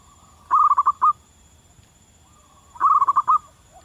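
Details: Local zebra dove calling in the wild: two matching phrases of rapid, rolling, gurgling coo notes, about two and a half seconds apart, with soft cooing in the gaps.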